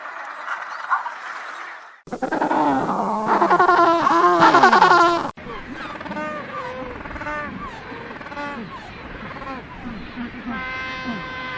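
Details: Penguin calls in joined segments: bursts of overlapping, wavering harmonic braying from many birds, followed by scattered shorter calls and a long, steady harmonic call near the end, over background hiss.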